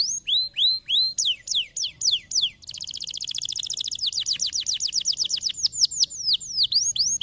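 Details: Singing canary, used to encourage other canaries to sing: upward-slurred whistles give way to a long, fast rolling trill of rapid high notes, finishing with slower swooping phrases.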